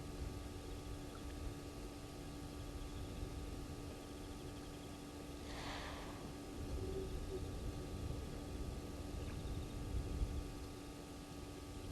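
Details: Steady low rumble and electrical hum, with one brief rushing burst of noise midway and no clear animal voice.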